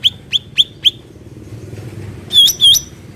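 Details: Wild bulbul recorded outdoors: four short, sharp high chips spaced evenly about every quarter second, a pause, then two louder paired whistled phrases that dip and flick upward, over faint low traffic-like rumble.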